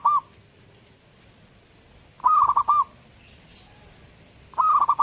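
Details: Actively singing zebra dove delivering rolling, broken coo phrases roughly every two seconds; faint thin whistles from another bird sound in the pauses.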